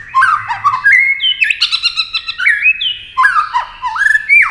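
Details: Singing white-rumped shama in a speed competition, flicking wings and tail constantly: loud, rich whistled phrases with swooping slurs and quick chattering notes, delivered in rapid varied bursts with brief gaps.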